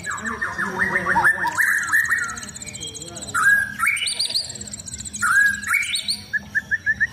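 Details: White-rumped shama kept for singing contests, out in the sun: a rapid stuttering run of notes, then varied whistled phrases jumping up and down in pitch, with fast high trills from other birds and faint background voices.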